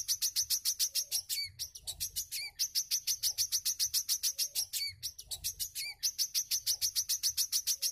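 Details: Wiceh song for teaching cage birds: long bursts of quick, evenly spaced, piercing chirps, several each second, punctuated by occasional falling whistled slurs and short gaps, with steady faint low-frequency background noise throughout.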